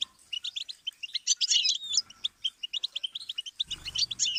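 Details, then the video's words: Goldfinch singing, recorded as a teaching stimulus for young birds and songbirds. A rapid, high-pitched twittering jumble of short chirps and trills runs continuously. A low rumbling noise enters near the end. "Series of stimuli for the goldfinch, collective for all songbirds"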